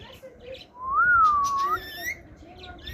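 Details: Pet ring-necked parakeet producing a single drawn-out tonal utterance that wavers and then rises at the end, heard over steady background hiss.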